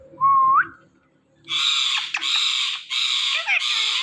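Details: Rose-ringed parakeet, a talking ringneck parrot, giving one short rising whistle followed by loud, harsh, drawn-out squawks in three bursts.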